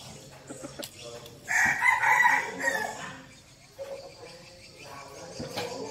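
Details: Red junglefowl kept as a decoy bird gives a single hoarse crow of about a second and a half, somewhat masked by rustling, clatter and low background noise.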